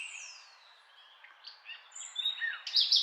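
A nightingale sings a varied, high phrase: a long falling whistle, then quick chirps and slurred notes that end in a loud, buzzy flourish, with faint background hiss.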